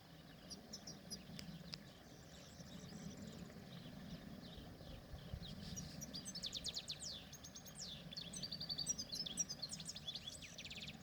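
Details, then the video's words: European goldfinch singing in the wild: after a quiet start, a fast, lively run of high twittering notes and short buzzy trills builds through the second half, over a steady low rumble of background noise. "Mou9nin chardonneret dans la nature"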